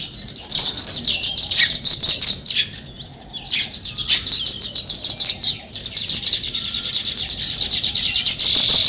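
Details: Lively sparrow chatter: a flock gives rapid, high, overlapping chirps in pulsing waves that grow denser and more continuous toward the end.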